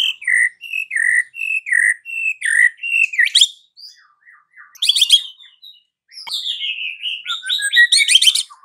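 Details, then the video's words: Afternoon lure song of a white-rumped shama, aimed at getting silent shamas to sing: a steady series of paired whistled notes about every half second, then harsh rattling bursts and a long downslurred whistle. "PANCINGAN Murai Batu SORE hari , langsung bikin Murai Batu bisu AUTO NGAMUK"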